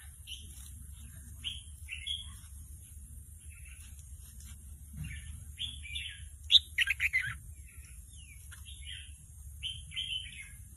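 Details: Caged young red-whiskered bulbul rehearsing its doubled phrases, roused by a played recording, gives many short chirpy bursts in uneven groups, with a denser, louder flurry midway.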